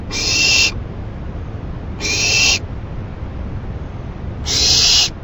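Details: Owl receiving a rabbit as food around 11:30 PM, 28 May 2012; three broad, airy screeching hisses with gaps of one and a half to two seconds between them.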